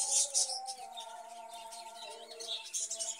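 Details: Budgerigars in a cage, chirping and warbling in quick high bursts, loudest at the start and near the end, with a constant tonal drone running underneath.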